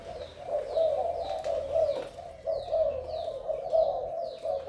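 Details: Male spotted dove from Malaysia, in strong calling form, with a fine neck collar. A steady, husky low coo rises and falls in waves, accompanied by high-pitched falling chirps at about one-second intervals.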